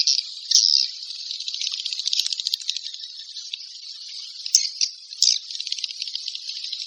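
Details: Swiftlets give a continuous high, buzzy twittering chatter with fine rattling pulses and a few louder chirps near the start and around the fifth second.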